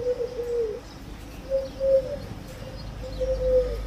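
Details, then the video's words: Low, soft pigeon coos in three brief groups separated by short pauses, over faint background hiss. "Pigeon sound"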